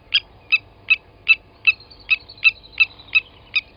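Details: Ten crisp tink calls in under four seconds from blacksmith lapwings at a Djuma waterhole in South Africa after one adult killed a chick from the nest; a thin higher whistle overlaps midway.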